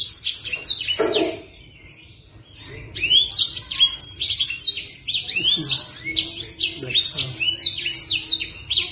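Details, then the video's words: A sunbird in full song gives fast, high, sharp twittering of quick rising and falling notes, with a brief pause near the start before running on continuously. "Master BLACKSANG Gacor"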